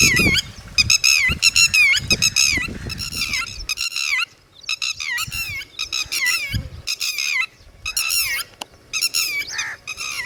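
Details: Red-wattled lapwing, found in villages of warm Asian regions and heard with its chicks, giving loud, shrill, harmonic notes that dip and rise, delivered in rapid bursts of several calls with short pauses, repeated over and over, strong and close.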